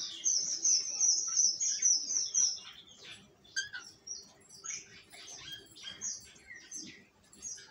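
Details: Cockatiels open with a high, fluttering trilled run, followed by scattered sharp chirps and short buzzy notes over a soft background hiss.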